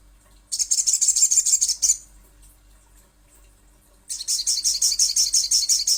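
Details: Little spiderhunter (sogon) calling in fast, high, scratchy chatters: one burst of about ten clipped notes, a two-second silence, then another rapid run continuing to the end.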